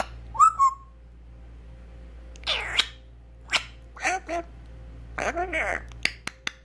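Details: African grey parrot beatboxing indoors: a sharp rising whistle, then breathy noisy bursts, clicks and short pops in an irregular rhythm, with faint mains hum throughout.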